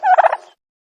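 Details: Turkey gobble: one quick, rattling burst of warbling notes lasting about half a second, then silence.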